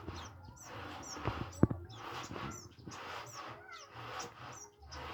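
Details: Olive-backed sunbird, a young bird still shyly practising its song: a series of sharp, high notes that slide downward, repeated about every half second with gaps, over a low background hum and a single loud knock.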